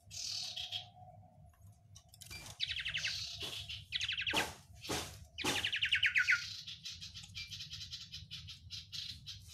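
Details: Oriental white-eye, called sirtu, singing a song described as overflowing with many spicy fill phrases (isian): rapid high chattering trills and buzzy runs in bursts, over a steady low hum and a faint tone.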